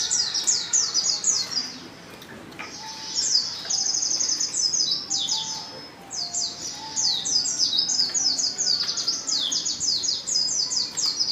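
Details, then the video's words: Female Oriental white-eye calling, a lure meant to draw males into singing; a fast, busy chatter of high, thin, sharply descending notes runs almost unbroken for about eleven seconds, with a brief lull near two seconds. "pancingan pleci betina paling ampuh,bikin pleci jantan ngalas"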